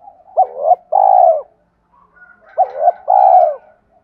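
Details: Spotted dove repeating the 'thúc' coo meant to lure and provoke wild doves: two matching phrases, each a short bent note then a long round coo, about two and a half seconds apart.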